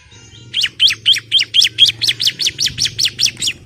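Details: Rapid call of a female Bar-winged Prinia (ciblek) summoning the male, 'semi nembak' style: around fourteen zigzagging, downward-sliding chirps in a fast, regular burst over three seconds, with a low steady hum beneath.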